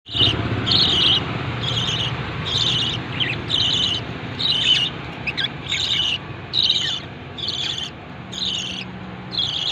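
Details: Lovebird giving a steady run of shrill, harsh chirps, each a short burst, about one a second across the clip, over a low background rumble.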